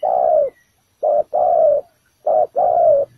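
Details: Decoy spotted dove on the ground at a trap, bổi thổ calls: a long low coo, then two pairs of a clipped note and a drawn-out, gently falling coo.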